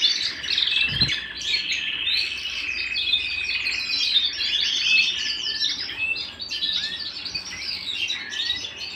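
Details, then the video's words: Canary singing at home: dense continuous warbling of overlapping trills and twitters, steady throughout, with a single low thump near the start. "canary bird - canary singing - canary sounds - canary singing at home"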